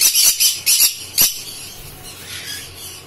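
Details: A pair of green-cheeked conures (Pyrrhura molinae), pineapple colour form, give five harsh, raspy squawks in the first second and a half, then quieter high chatter in a small room.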